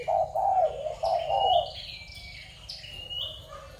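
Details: Spotted dove of Malaysian, Thai or Cambodian stock, recorded 21 November 2022, giving three low husky coos in the first second and a half, followed by thin higher chirps from other small birds.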